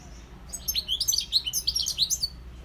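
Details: Goldfinch song: a fast, bright burst of liquid twittering notes and short rising chirps, densely packed and lively, over a quiet low hum.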